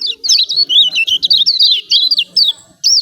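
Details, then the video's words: Yellow white-eye from Lombok, lure recording of 'ciak ciak' calls for birds that have stopped singing: an unbroken three-second stream of high, twisting chirps. "CIAK CIAK JOSS KECIAL KUNING AMPUH||PANCINGAN KECIAL MALAS BUNYI||"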